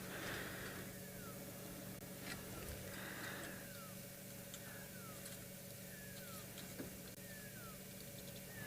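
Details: Pearl-spotted owlet gives high, clear whistles that slide downward, repeated roughly every second, over a steady low engine hum and snapping of branches broken by a feeding young bull elephant; afternoon game drive, South Africa, 19 September 2021.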